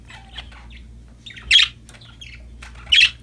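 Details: Happy budgerigars at play, giving scattered quiet chirps broken by two loud, harsh squawks about one and a half seconds apart, over a faint low background hum.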